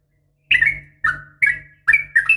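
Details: A female sooty-headed bulbul calls males in the morning with four separate mellow, falling, slurred notes, the last one doubled, over a faint low hum.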